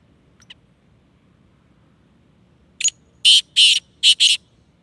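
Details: Sindhi black francolin calling: after one faint short note, a loud harsh rasping sequence of five grating bursts delivered in quick succession within about a second and a half, with a quiet background.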